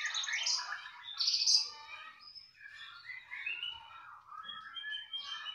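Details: Canary singing strongly in a continuous stream of bright chirps, trills and rolling warbled phrases, high and varied, swelling and fading over a few seconds against a quiet background.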